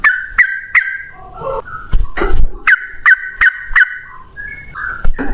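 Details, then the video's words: Yellow-vented bulbul, noted as male, singing a long fighting song for luring bulbuls into voice: repeated clear chirped notes in a steady string, broken by a few loud thumping knocks. "trucukan gacor TARUNG ROPEL PANJANG buat pancingan trucukan agar bunyi"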